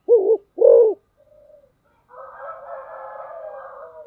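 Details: Spotted dove performing the rapid 'thúc gù' or speed-cooing style: two loud, low, rounded coos in quick succession, then a short faint note and a longer stretch of soft, broad, hissy background sound.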